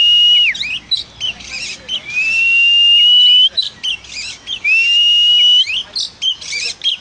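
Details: Oriental magpie-robin singing vigorously: long, clear, level whistles, some sliding upward, alternate with bursts of scratchy, chattering notes. Faint voices are heard beneath.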